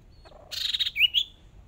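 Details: Decoy Hwamei in a singing-contest practice round: a faint low twitter, then a loud rasping buzz and two bright whistled notes, one rising sharply.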